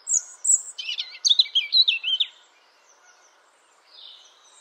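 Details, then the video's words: European robin song: a rapid string of high, tinkling, scratchy notes, about two dozen in under two seconds, followed by a softer, fading high phrase over a quiet background. "European Robin · Erithacus rubecula singing"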